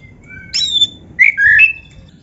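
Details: Oriental magpie-robin, a lively singing bird used as playback to stir rivals, gives clear whistled phrases: a thin high note, then rich slurred whistles sweeping up and down, over a low background rumble.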